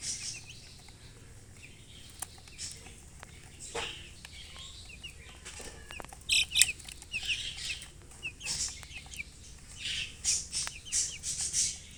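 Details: Baby chicks chirping: short, thin downward-sliding peeps scattered through the recording, with scratchy rustling and flapping-like bursts in between.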